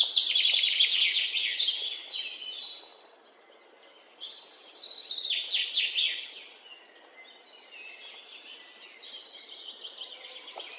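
Three bursts of high, rapid chirps and warbled notes from birds, each lasting a few seconds with brief pauses between, over a quiet outdoor background.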